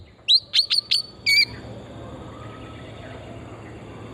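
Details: Oriental magpie-robin, a forest-type bird singing vigorously, used as a lure to stimulate singing: a quick run of sharp whistled notes near the start, then a longer warbled phrase, before quiet background hiss.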